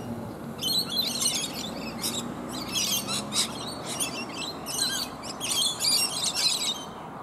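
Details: A flock of rainbow lorikeets feeds on bottlebrush blossoms up in a tree alongside one other bird. Grating, high screeches arrive in clustered bursts separated by brief gaps, against a soft background rumble.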